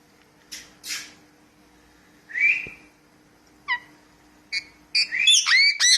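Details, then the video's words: Pet parrot described as talking, giving scattered short whistles and a rising slurred note, ending in a quick cluster of high, sweeping chirps. A faint steady hum runs underneath. "Talking Parrot"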